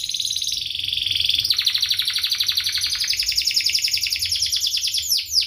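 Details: Singing canary used as a tutor for juveniles: a continuous, tightly packed rolling trill of very fast pulsed notes, high and shimmering throughout, closing with a few quick downward flicks.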